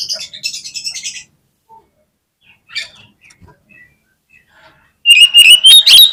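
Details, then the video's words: Oriental magpie-robin lure song: a scratchy buzzing trill, a long quiet stretch with a few soft notes, then a sudden loud burst of bright rising whistles and sharp clicks. "KACER LANGSUNG PECAH SUARA MENDENGAR PANCINGAN INI !!! KACER LOYO PASTI IKUT GACOR"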